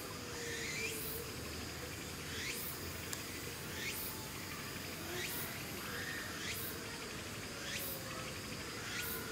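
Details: A long-lived male golden eagle at Tama Zoological Park, Tokyo, 9 September 2018, gives thin, sharply rising whistled chirps about every second and a half over a steady background of chirring insects.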